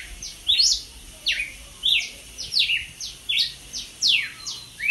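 Red-cowled Cardinal singing clear, loud descending slurred whistles, about one phrase every second, high-pitched and bright, over faint background hiss.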